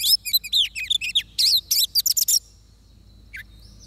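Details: Oriental magpie-robin song burst while trapping, about two seconds of fast repeated whistled notes and buzzy phrases, then near silence with one lone whistle.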